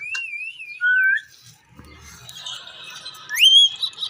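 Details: Wavy, quavering whistle from a rose-ringed parakeet, followed by a short lower note, a soft murmuring stretch and a sharp upward-sweeping whistle near the end.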